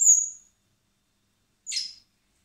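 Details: Common blackbird chicks at a wildlife recovery centre, hand-fed in spring before being freed, give begging calls: a long high thin whistle-like squeal, then a shorter buzzier squeak after a pause.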